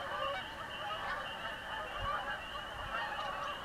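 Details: Canada geese flying over a house give many overlapping honks, nasal and slightly wavering, forming a steady, busy chorus from the passing flock.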